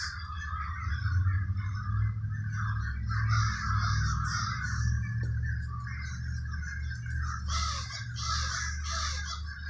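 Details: A dense chorus of cawing crows in Trenton, New Jersey's Villa Park neighborhood over a strong low droning hum, with sharper bursts of calls late in the stretch.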